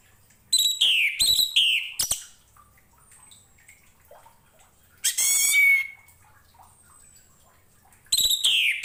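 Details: Orange-headed thrush singing, recorded for teaching other cage birds: several varied phrases of rich, downslurred notes, one harsh buzzy burst midway, and a final phrase after a pause.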